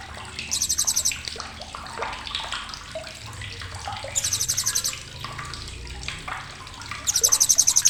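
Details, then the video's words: Sharp chattering of a blue-crowned hanging parrot, recorded as tutor material for songbirds: three bursts of rapid, very high pulsed trilling, each about a second long, separated by lower chirps from other birds and a watery background. "CRECETAN TAJAM BURUNG SRINDIT"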